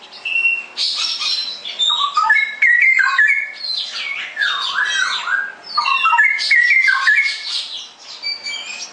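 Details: Straw-headed bulbul in lively ngerople song: a long, dense stream of liquid warbling, with looping, wavering whistles and rapid slurred phrases.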